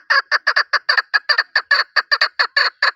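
A chukar gives a fast run of harsh, clucking chuck notes, about five each second, steady and unbroken. No other sounds are heard.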